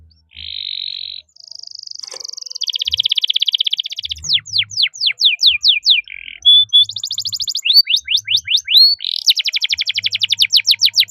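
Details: Canary in full, energetic song, known locally as gacor, with cuit cuit notes and long rolls. It sings buzzy held tones, then fast trills of sweeping whistled notes repeated several times a second, in a clean and quiet recording.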